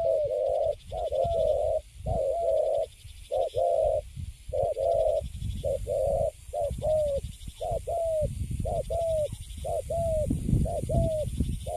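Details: Caged spotted dove of the type called Thổ tơ Cấn Sấm, recently caught and standing still in its cage, giving steady low hollow coos in short runs, many notes per phrase, with low rumbling background noise.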